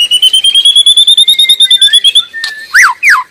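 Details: White-rumped shama singing in the wild: a rapid, steady string of high thin notes, about three per second, followed by a few loud sweeping whistles that rise and fall.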